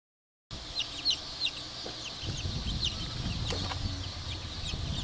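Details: Black Cochin bantam chicks peeping, many overlapping short high downslurred peeps in a steady chorus, with low rumbling background noise and a few soft knocks.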